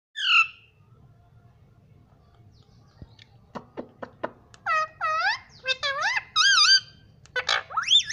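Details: Pet ringneck parrot mimicking speech indoors, saying "mummy": after a few soft taps, a burst of harmonic, wavering syllables with rising and falling inflections, plus a brief high squawk at the start.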